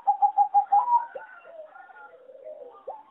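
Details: Competition singing zebra dove from a breeding farm, a poorly rated melody: about six fast, evenly spaced coo pulses, then a rising note trailing into softer, lower cooing.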